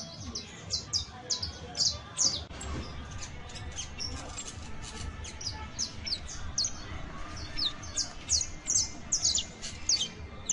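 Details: Saffron finch song used as a tutor for Creole canaries: dense series of high, downward-slurred chirps and sweeps, repeated rapidly throughout, over low background rumble.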